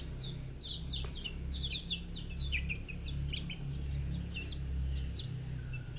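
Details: Silkie bantam chicks giving a busy stream of high, downward-sliding peeps from several birds, overlapping almost continuously against a loud low mechanical hum.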